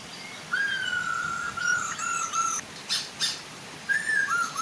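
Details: Hwamei song from a male and female meant to get other birds singing: one long, drawn-out level whistle, brief sharp clicks, then a short slurred phrase, with a gentle waterfall hiss throughout.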